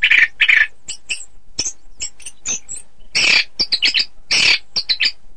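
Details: Orange-headed thrush song used to train birds for song contests: a fast, varied run of sharp chirps, buzzy bursts and short high notes, delivered in irregular clusters with brief pauses between them.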